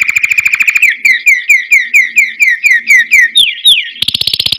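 A canary sings a fast rolled trill, then a run of quick repeated down-slurred whistles about six per second, ending in a buzzy high rattle.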